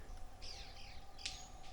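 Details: At ponds in the Belize jungle, White-collared manakins doing their mating display give a sharp, dry wing snap and faint high whistled sweeps over a low background rumble.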